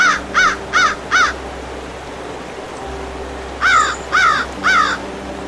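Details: American crow calling with short harsh caws: a rapid run of four, a pause of about two seconds, then three more in quick succession, over a low constant hum.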